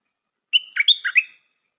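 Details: Clean single phrase of stripe-throated bulbul song from a decoy bird, opening on a bright whistled note and running into several quick, slurred, gurgling notes.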